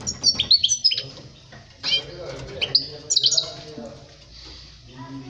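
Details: European goldfinch song played for tutoring young birds; scattered bursts of high twittering and short squeaky notes separated by quieter gaps, with low background hum and some faint broadband rustling.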